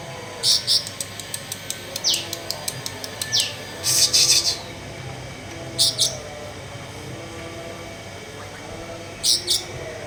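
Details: A blue-winged leafbird after bathing gives a fast run of dry, high ticking notes, then short chirp bursts and descending whistled flicks spaced a few seconds apart over a low background hum.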